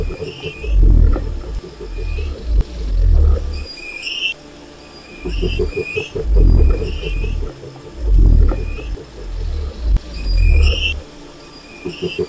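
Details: Repeated deep rumbling booms from a wild cassowary, roughly every two seconds, with a continuous rapid pulsed tapping and scattered high whistled calls from other animals behind.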